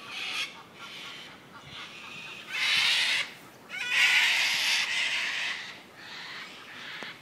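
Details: Several wild cockatoos living in and around the Royal Botanical Gardens in Sydney, Australia, giving harsh, raspy, broadband screeches: two long loud bursts mid-clip, with shorter, fainter squawks before and after.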